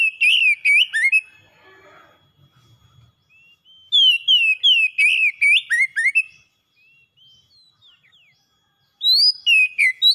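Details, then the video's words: Pet oriental magpie-robin, kept as a caged bird, in a lure recording meant to make a silent bird sing. Loud, clear whistled phrases of rising and falling notes come in rapid bursts around one second, a pause, then two more bursts. "KACER PELIHARAAN MACET BUNYI LANGSUNG ON GACOR SEKALI PANCING"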